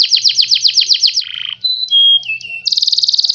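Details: Canary singing, used as a model for other birds to copy: a fast series of downslurred high notes, a lower buzzy rattle, clear level whistles stepping down in pitch, then a dense rapid high trill.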